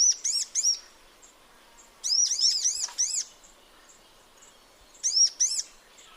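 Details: High-pitched sunbird song in its natural habitat: clusters of rapid, bright arched notes, a longer run of five or six in the middle, and brief pauses between groups.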